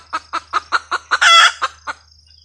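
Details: Hen red junglefowl cackling, about eight evenly spaced clucks with a loud drawn-out squawk in the middle; low hum and a high insect tone in the background.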